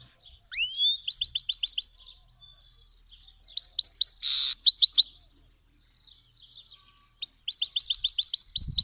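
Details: Iranian goldfinch, a Himalayan and black-headed cross, from Fars province, Iran, singing for teaching young birds: rising whistled sweeps, then bursts of rapid repeated metallic twitters and a buzzy note, with short pauses between phrases.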